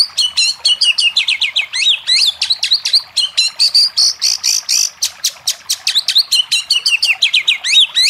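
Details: Energetic Oriental magpie-robin song meant to coax a reluctant bird to sing: continuous stream of sweet looping whistles and crisp clicks at a fast, steady pace, with a brief sustained note in the middle.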